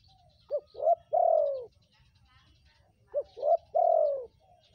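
Spotted dove gives soft, low coos: a short note, a rising note, then a long falling coo. The three-part phrase is repeated after about two and a half seconds.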